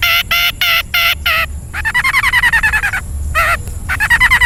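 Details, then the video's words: Long-tailed shrike training song for caged birds: five quick harsh wavering notes, then a long fast stuttering trill that falls slightly, one loud harsh note, and another fast trill starting, over a constant high whine. "MASTERAN KHUSUS UNTUK BURUNG CENDET AGAR BUNYI DAN GACOR FULL ISIAN MEWAH"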